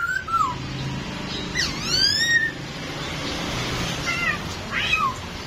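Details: Masked laughingthrush, kept as a pet bird and dancing, gives clear whistled notes that slide downward and upward, with one long rising-then-falling whistle, scattered over a few seconds against low room noise.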